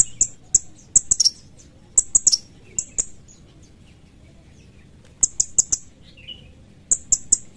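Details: Sooty-headed bulbul giving sharp, sharp-edged 'cret cret' calls: very high, clipped chips in tight bursts of two to four, separated by short pauses, over a quiet background with faint clicks.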